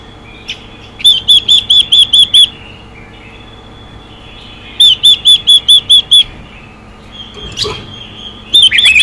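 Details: Female Chinese hwamei calls aimed at exciting males: two bursts of seven evenly repeated ringing high notes a few seconds apart, with a faint sweep and another burst beginning at the end.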